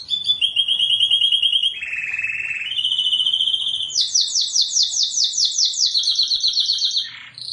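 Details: Canary singing in a tutor recording, described as super melodious and singing nonstop: high level buzzy trills shifting in steps, a lower rolled phrase, then a fast rising-falling tour of repeated notes at the end.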